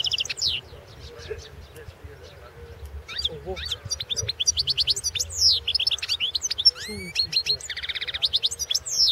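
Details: Goldfinch singing in the 2016 World Championship in Goldfinch Song: high, varied twitters and steep downward-sweeping whistles, a brief lull, then rapid repeated chirps and a buzzy trilled stretch building toward the end.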